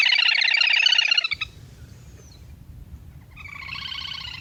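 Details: Rapid pulsed whistling chatter of lesser whistling duck, used as a hunting lure, breaks off after a second, leaving a low hum, then resumes more softly.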